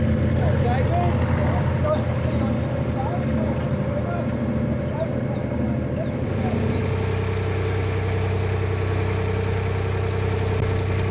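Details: A common chiffchaff beside the Coventry canal, UK, recorded from a narrowboat, gives a high, insistent siren-like chirp about twice a second over a steady boat engine hum and brief speech; other birds then respond.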